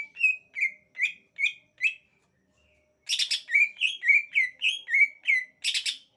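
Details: Singing greater green leafbird giving a series of bright whistled notes, five evenly spaced slurred whistles, a brief pause, then a faster, richer burst of varied whistles and chattering harmonics repeated about three times a second.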